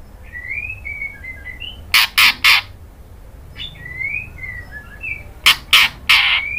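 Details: Female white-rumped shama calling the male: short whistled notes near the upper-middle range, slurred and wavering, then bursts of loud sharp clicking sounds, repeated twice with a pause between.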